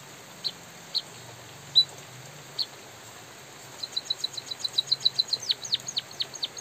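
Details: A white-headed munia gives a few scattered high chips, then a quickening run of thin, high notes, over a steady hiss of drizzling rain.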